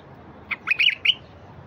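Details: ['A single quick bulbul phrase from wild birds, meant to stir quiet bulbuls into song: four rapid liquid notes rising and falling in under a second, against faint background noise.']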